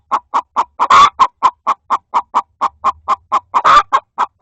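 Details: Hen inside a coop fussing at another hen trying to lay an egg; rapid, evenly spaced clucks about every quarter second, with two louder, harsher squawks breaking in.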